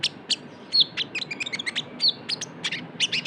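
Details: Brown-throated sunbird, locally konin or kolibri ninja, in trotol style as a lure: rapid, uneven bursts of sharp, high chirps with short, falling whistled notes mixed in.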